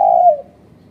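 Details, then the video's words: Spotted dove used as a lure bird for trapping, giving a single soft, low coo that slides slightly downward and fades after under half a second, against a quiet background. "Pikat Terkuku"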